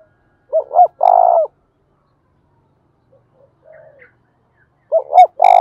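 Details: Repeated spotted dove coos in the thúc bổi and gáy gọi styles: two short notes plus a long buzzy hoot, a quiet distant coo in between, then the phrase beginning again about four seconds later.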